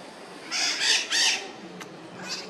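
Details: Red-shouldered macaws in bright light: a few loud, harsh raspy squawks in quick succession, then quieter background noise.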